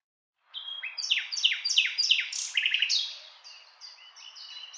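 A common nightingale sings a rich, varied phrase: a run of loud descending whistles, then a rapid stuttering trill and softer high notes.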